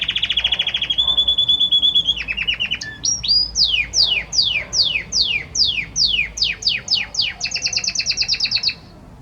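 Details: Courting Belgian canary male pours out song for the female: a flat rapid trill, a lower rattling phrase, then a long series of loud downslurred whistles, about two per second, ending in fast chips.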